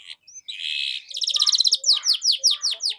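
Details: Canary singing to train young canaries: a buzzy rolling trill, then a series of loud sharp descending chirps.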